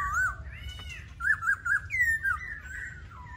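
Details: Laughingthrush singing short wavering whistles, a quick run of three rippling notes, then a brighter descending phrase, clear and loud against a soft low hum.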